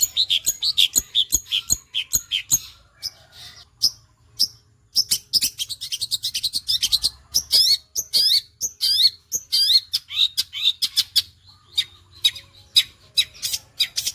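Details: Long-tailed shrike in full song with fast sewing-machine-like phrasing, mixing scratchy bursts, squeaky slurred whistles and brief pauses across a long, varied sequence.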